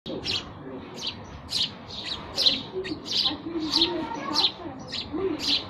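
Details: Sparrows chirping: short, bright, buzzy chirps repeated in a steady series roughly every half second, with a low murmur of background noise underneath.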